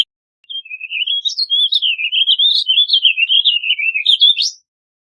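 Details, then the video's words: Warbling vireo (Vireo gilvus) delivering one long, rambling warble of about four seconds, a fast run of slurred notes wavering up and down and ending on a higher twist, with quiet before and after. "Warbling Vireo Bird Singing, Calling, Chirping, Sound - Vireo Gorjeador Canto - Vireo Gilvus"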